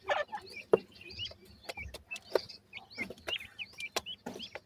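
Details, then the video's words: Grey francolin chicks calling in soft, wavering high peeps and short chirps, interrupted by loud clicks and knocks, with a low hum beneath. "top gora teetar bird chicks,top partridge bird chicks ki sound"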